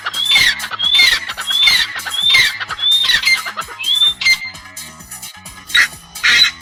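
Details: Francolin; call; social interaction and mating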